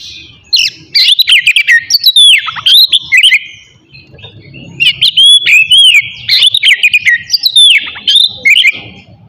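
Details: Morning song of an Oriental magpie-robin, used to stir aggression and breeding urge in other birds; two long bursts of rapid, varied whistled notes and chattering trills separated by a brief pause.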